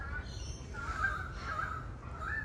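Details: A Pied Currawong in Australia gives drawn-out, ringing mid-pitched notes that swell and rise slightly, over a steady low rumble of wind or distant traffic.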